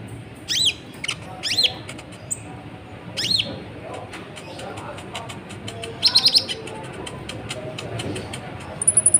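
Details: Sunbird in lively song, used as a lure to stir up other birds: high, sharp, rising-and-falling chirps in short bursts, then a quick run of thin notes and a final high trill, over faint background hiss.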